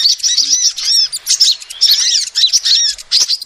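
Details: Female sunbird lure call: a busy run of thin, high, looping tweets with curving notes, nearly continuous, ending in a sharp click.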